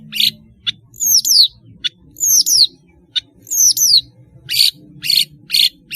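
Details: Long-tailed shrike singing strongly, a tutor recording for young shrikes: three clusters of high, downward-sliding whistles separated by clicks and short rasps, ending in a run of harsh chattering notes; faint low hum behind.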